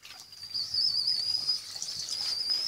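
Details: Pigeon chicks crying for food: a thin, continuous high-pitched whine, wavering slightly and rising in strength after the first half second.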